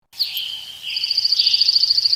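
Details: Birds singing in woods: a high whistled note, then a steady rapid high trill repeated several times a second, with a lower warbling voice beneath.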